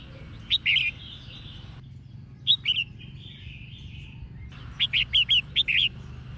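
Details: Red-whiskered bulbul female singing to excite males, giving brief clusters of sharp, bright chirps: a short group, a pause, a lone pair of notes, then a faster run of five or six notes at the end over a low hum.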